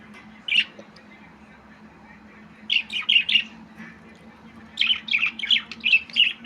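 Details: Budgerigar, a small slender parrot, giving short bright squawky chirps in a single note and then two quick clusters of four to six chirps, separated by brief quiet gaps, over a low steady hum.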